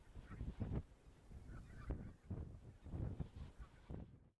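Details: Barnacle geese at Uitkerkse Polder, Belgium, in February 2013, giving short, yapping honks, several a second and overlapping as from a flock, over a low rumbling background.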